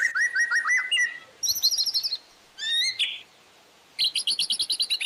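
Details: White-rumped shama master song with imitated fill-ins, used to train caged birds: bursts of sharp chirped notes near the upper range, then rapid trilled phrases and high stuttering ticks, with short silent gaps between phrases.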